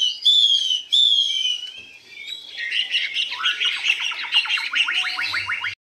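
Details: Newly arrived caged hwamei, 85% tame, singing high with long phrases. Two long falling whistles are followed, after a short lull, by a dense, rapid rattling run of repeated notes ending abruptly.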